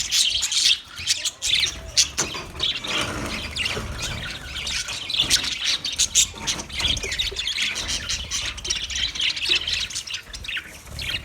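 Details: Budgerigar singing and chirping, recorded 14 March 2024: a dense, continuous run of rapid high warbles, chirps and scratchy squawks with hardly a pause, plus some low rumbling underneath.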